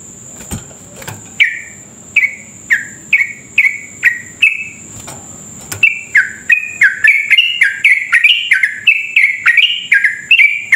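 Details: Lure song of an energetic yellow-vented bulbul, used to set other bulbuls singing fast. Spaced falling chirps build into a denser, quicker run of ringing notes. A faint continuous high whine lies underneath.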